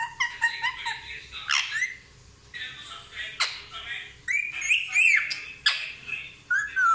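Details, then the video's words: Indian ringneck parrot known for talking "mummy papa", producing a busy mix of squawks, whistled slurs and speech-like chatter, rising and falling without pause. "मम्मी पापा बोलने वाला तोता ll Indian Ringneck Parrot Talking"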